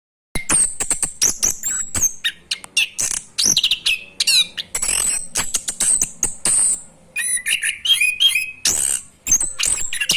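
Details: Young orange-headed thrush learning the ngerol rolling song: a dense, fast stream of varied high chirps, whistles and sharp trills, many notes sliding or dropping, delivered in near-continuous bursts with brief pauses.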